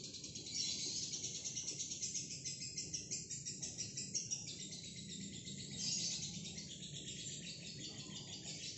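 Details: Long ngekek from a single female fighter lovebird, a continuous piercing rattle-like chatter of quick regular pulses that stays high and harsh throughout, over a low background hum.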